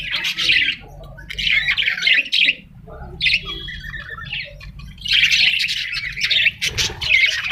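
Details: Parrot squawks come in scratchy bursts of one to two seconds separated by short quiet gaps, with some thinner whistled notes between them.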